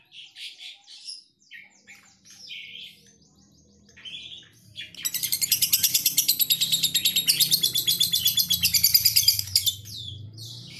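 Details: Lovebird described as ambrol and mabung konslet, opening with scattered sharp high chirps, then bursting halfway through into a long, loud, very rapid metallic trill, about three pulses per second, with a faint low hum beneath.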